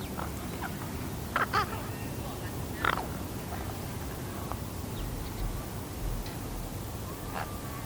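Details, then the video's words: Young raven, thirteen and a half weeks old, practising different noises: a few short, harsh, broadband croaks near the start and one more a little later, over a steady low background rumble. "Baby raven makes adorable noises"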